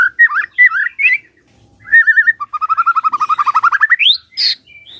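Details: Morning lure song of a white-rumped shama: wavering fluty whistles, then a trill of about twenty quick notes climbing steadily in pitch and ending in a high sweep, followed by a harsh note.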